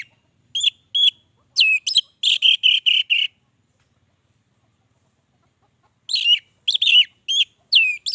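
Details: Orange-headed thrush in lively long-running song: two bursts of sharp whistled notes, the first a fast run of repeated slurred whistles, then several seconds of silence before another string of bright, descending whistles.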